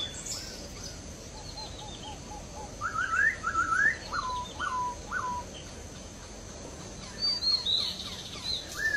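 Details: Wild laughingthrush singing: a varied phrase of rapid whistled, up-and-down slurred notes mid-clip, followed by softer short notes, with faint distant bird calls and steady background hiss.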